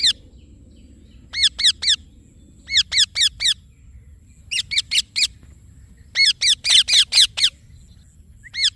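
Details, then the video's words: Screeching chirps from an Indian ringneck parakeet, a green parrot, delivered in short clusters of three to five shrill notes with pauses between, the last cluster longer and denser; quiet low rumble underneath. "Green Parrot Chirping Sounds / Voice"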